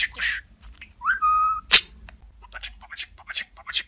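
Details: Talking pet budgerigar: short mimicked speech syllables, a clear rising whistle, a sharp click, then soft chattering bursts.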